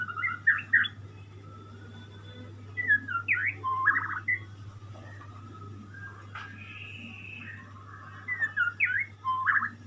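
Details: White-rumped shama song from a pet bird: separated bursts of varied whistles and rapid twittering notes, with quiet pauses between phrases and a steady low hum throughout.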